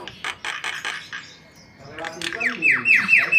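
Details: White-vented myna singing vigorously, used as a lure for other birds: harsh pulsed notes at first, a brief lull, then a run of bright down-slurred whistles repeated about every quarter second.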